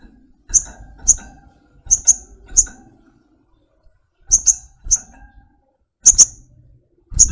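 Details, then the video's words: Pet flowerpecker uttering crisp, high-pitched tick notes in loose bursts of two to four, with short silent gaps between the bursts and soft low background rumble. "Tropical Bird Calls to Relax honey bird sogokontong"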